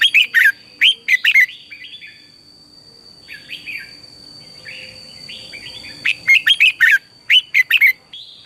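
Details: Red-whiskered bulbul singing in captivity as a morning training voice for other birds, with clusters of strong, clipped whistled notes at start and end and softer fluttering phrases between, over a faint continuous high hum.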